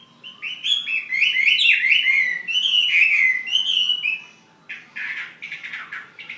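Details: Chinese hwamei kept as a fighting bird, from Ha Giang, pouring out a fast, tumbling warble of whistled notes for about four seconds. After a short gap it adds a few rough, chattering notes.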